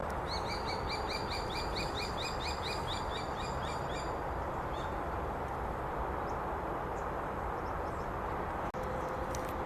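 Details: A young common kestrel (Falco tinnunculus), a fledgling that has just left the nest, gives a fast run of shrill, sharp 'kee-kee-kee' notes, about six a second, for about four seconds over a steady low traffic rumble.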